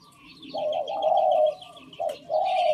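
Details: Spotted Dove kept as a decoy, cooing in a phrase judged not pretty: a long, low, slightly wavering coo, a pause, then two shorter coos, with soft high twittering of other birds in the background.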